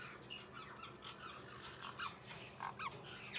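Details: White-bellied parrot giving a rapid series of short, harsh, buzzy squawks, several per second, fairly faint against a steady low hum in the background.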